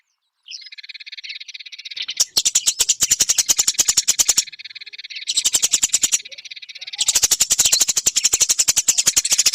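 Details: Songbird training recording of a Eurasian tree sparrow: a softer buzzy trill opens, then loud, harsh, rapidly pulsed chattering bursts, separated by brief softer buzzing stretches.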